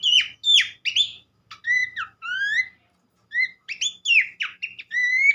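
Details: Horsfield's babbler (pelanduk semak) singing, used to prompt other birds to sing. Short bright whistled phrases, some falling steeply and others rising, are separated by brief pauses, with a soft low hum in the background.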